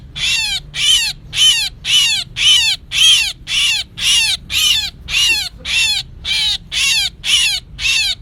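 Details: Lure recording of a myna for trapping, from 2024. Harsh, grating calls with falling overtones come in a steady train of about fourteen bursts, roughly two each second, over a quiet background.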